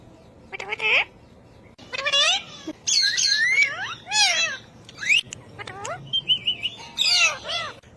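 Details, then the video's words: Ring-necked parakeet talking in fast, chattering phrases of curved, rich harmonic sounds, a short steady whistle near the end and abrupt clicks in between. "Raw Parrot Talking Video"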